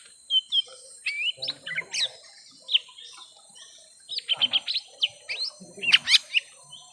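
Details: Young lesser green leafbirds in a drawn-out fight: scattered clear whistles and quick chattering clusters, with a pause before a rapid series of sharp notes and high piercing squeaks.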